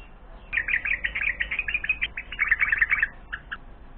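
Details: Hungry bulbul nestlings, four days after hatching, begging at the nest during the morning feeding routine: a rapid run of sharp, high chirps for about three seconds, then a few scattered notes, over a low steady hum.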